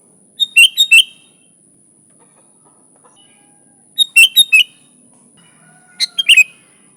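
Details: Sooty-headed bulbul song meant to attract bulbuls: three short bursts of three or four rich, bubbly chirps, repeated roughly every two seconds, with quiet pauses and a constant high-pitched hum.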